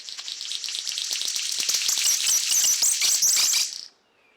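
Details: A male King of Saxony bird-of-paradise in high-elevation cloud forest, Papua, gives its territorial call to neighbouring males, also an advertisement to females: a high, hissing, crackling buzz like radio static, rattling on for nearly four seconds before stopping abruptly.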